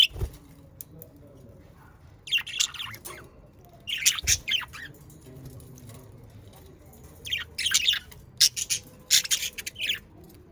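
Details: Australian parakeet calls used to stimulate pet budgerigars to sing: harsh squawks and bright chirps in clustered bursts separated by quiet stretches, with a couple of low thuds.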